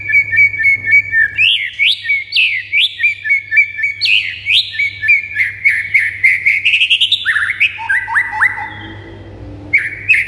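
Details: Song of a White-rumped shama meant to provoke other birds to sing: fast repeated whistled notes about three to four per second, then upswept and descending phrases, over a faint low hum.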